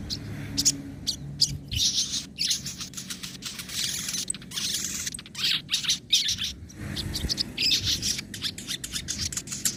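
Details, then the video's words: Sogon (crimson sunbird) singing in nembak and ngobra styles, meant to train other caged birds: dense, high-pitched twittering chatter in uneven bursts with short gaps, over low background rumble. "masteran suara sogon nembak & ngobra"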